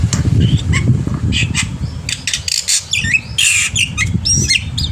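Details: Morning song of an active black-winged myna, meant as a tutor for juveniles: scratchy broadband rasps and short whistled notes, building to a loud harsh burst and twisting whistles near the end, low rumble behind.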